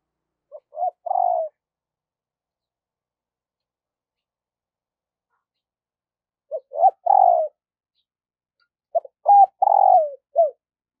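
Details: Cooing decoy spotted dove, trained daily to lure wild doves: three phrases about five and three seconds apart. Each opens with short clipped notes, then a sustained coo, the last phrase ending with an extra short note.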